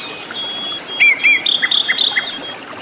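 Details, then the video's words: Vigorous song of a wild flycatcher in its natural habitat: a long, thin, steady high whistle, then a lower wavering warble and a string of short, bright, slurred notes, with a quiet background hiss. "KICAU BURUNG SIKATAN LONDO GACOR DI ALAM LIAR"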